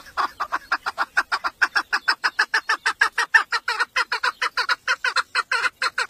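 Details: Village-kept female chukar partridge serving as a hunting 'mari' to call in males: a long, steady, machine-like string of short hoarse clucks, some thirty notes in six seconds, over a quiet background.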